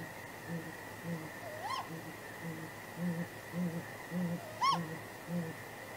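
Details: On the night of 23 April 2019, a great grey owl pair at their nest calls back and forth: a regular series of low, muffled hoots about twice a second, plus two higher, swooping wail calls, over a steady hum.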